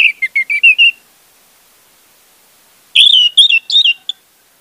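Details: Lure for a silent orange-headed thrush: a tumbling series of short whistled notes, a pause, then a louder, richer phrase of rising and falling warbles.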